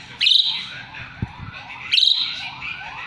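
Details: Asian pied starling used as song tutor for magpie-robins: two loud harsh rasping bursts about two seconds apart, with softer chatter between.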